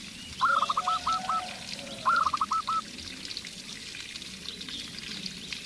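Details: Local zebra dove set against a spotted dove decoy: two clear phrases of high stuttering coos about two seconds apart, each a rising note followed by four or five quick clipped notes, then only hiss.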